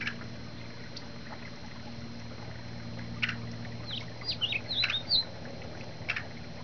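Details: Yellow-headed blackbird giving a quick series of short, sharp, downward-slurred chirps in the middle of the recording, with a few scattered clicks and a constant low mechanical hum throughout.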